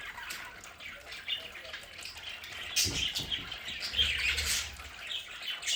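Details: Budgerigars kept at home chirp and chatter at moderate volume, with scattered squawks and a brief splashing, water-like rustle in the middle.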